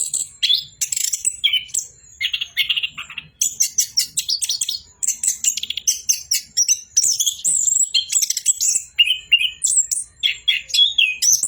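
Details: Orange-headed thrush singing: a busy, high-pitched stream of varied whistles, sharp chirps and rapid twittering phrases, changing every second or so with brief pauses between bursts.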